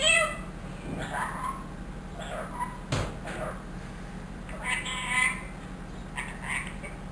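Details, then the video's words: Trained one-year-old pet ringneck parrot mimicking speech and a cat's meow: short, voice-like phrases with harmonics, spaced by brief pauses, over a steady background hum. "TALKING RINGNECK PARROT SAYS ALLAH HO,MEOW,MITHO BETY"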